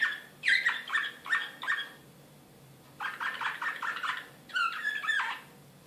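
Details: Belgrade, 2016: an excited Serbian slavujar canary sings two runs of fast, evenly spaced chirps separated by a pause, ending in a warbled, twisting phrase.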